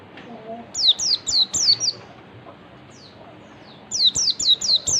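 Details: Oriental white-eye (pleci) in ngalas style, a lure recording meant to make other white-eyes respond: two bursts of high, thin descending whistled notes repeated rapidly, four to five per burst, separated by a quiet gap.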